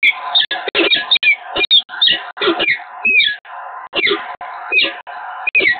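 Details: Peregrine falcons at the Evoluon, Eindhoven, 7 March 2022, in an extended courtship-like exchange: harsh, raspy wailing notes in quick bursts, roughly two per second, with thin high chipping notes slipped in between.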